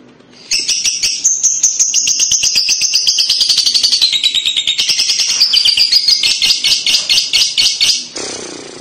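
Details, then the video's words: Lovebird chattering, played to prompt young lovebirds to answer and call: a fast, continuous, buzzy stream of shrill rattling notes, slightly falling then rising in pitch, lasting about seven seconds before stopping abruptly. "pasti lovebird paud akan nyaut dengar kekek an labet ini"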